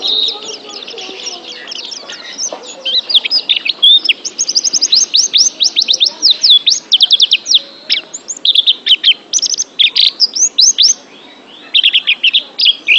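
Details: Training recording for pet birds with an oriental white-eye singing. Excited high chirping in quick runs of sharp, clipped notes and rising and falling whistles, broken by short pauses, with no other clear sounds.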